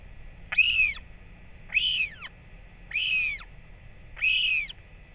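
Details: Northern royal albatross chick, off its nest since early July, greeting parents returning to feed it on 8.10.24; four evenly spaced, arched, nasal wheeing calls, roughly one per second.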